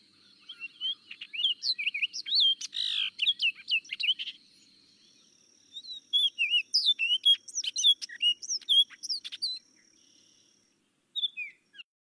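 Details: Orchard Oriole singing from a tree in summer at Kankakee Sands, Newton County, Indiana: a fast, jumbled warble of varied whistles and chatters leaping widely in pitch, in two long bursts with a short closing phrase.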